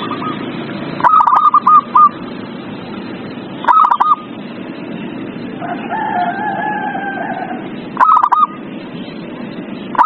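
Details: Zebra dove song played as a lure for a dove that will not sing: short stuttered coo bursts spaced a few seconds apart, a faint fainter coo between, over a persistent background hiss.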